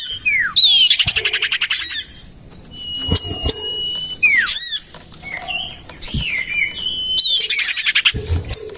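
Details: Common iora sounds meant to attract birds: rattling chatter trains and downslurred squeaks, then a long level whistle running for over a second, the pattern recurring with brief quiet pauses.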